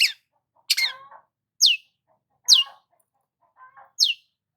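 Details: Sparse morning notes from a sunbathing long-tailed shrike, loud high downslurred calls roughly a second apart, each trailed by a soft lower chatter.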